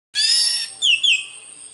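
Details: Orange-headed thrush, known locally as anis merah, in Indonesia: a short melodious phrase, a dense bright burst followed by two sweet downslurred whistles, high-pitched and clear.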